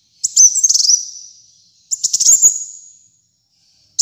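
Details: Brown-throated sunbird singing energetically, intended as a master and lure recording: two high phrases of fast chattering chips that trail into a thin fading whistle, about two seconds apart.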